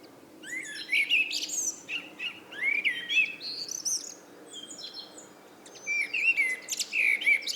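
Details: Eurasian blackbird evening song in two long bursts. Rich, swooping, flute-like warbles are mixed with sharp high twitters, and a quieter pause falls in the middle.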